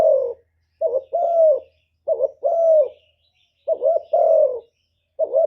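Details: Spotted dove decoy bird calling to attract and provoke wild doves, producing low soft two-note coos, short wavering note then longer falling one, about four times with clear pauses between phrases.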